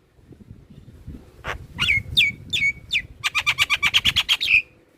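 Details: Javan myna or another myna, used to coax captive birds into singing: a few harsh downslurred notes, then a fast, even run of about a dozen clipped chattering notes, with low rumbling underneath.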